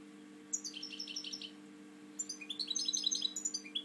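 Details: Captive European goldfinch with a slightly drooping wing, singing two bursts of high, rapid, liquid twittering notes with quick chirps and trills. The second phrase is longer and denser. A faint steady low hum runs beneath.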